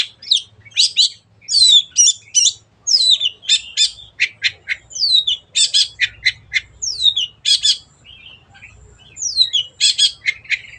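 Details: A long-tailed shrike (cendet) sings a lively, fast, varied medley of harsh chattering notes, squeaky whistles and sharp downslurred calls, all high-pitched and tumbling together without pause.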